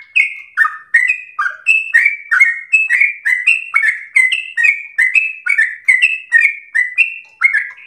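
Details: Sooty-headed bulbul giving energetic ropel slow song, a recording for tutoring home-kept birds. Clear whistled notes alternate with lower sliding ones in a fast repeated pattern, with a faint high ticking above.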